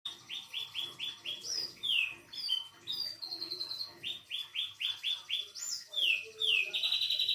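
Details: Canary singing an isian song mixing cililin, katem, sogon and sikatan londo phrases: runs of quick rising whistled notes repeated about twice a second, broken by sweeping slurs and buzzy trills, high and bright throughout with faint low background rumble.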